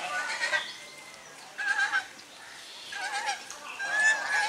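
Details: Domestic swan geese with grey domestic geese, drying their bodies; repeated medium-loud nasal honks in short bursts, some with a slight wavering tone, spread across the recording.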